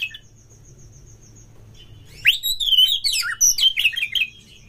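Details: Oriental magpie-robin song played as a lure to make kacer sing in mating mood: after a quiet start with a faint thin tone, a loud rising whistle opens a tumbling, varied warble mixed with scratchy notes.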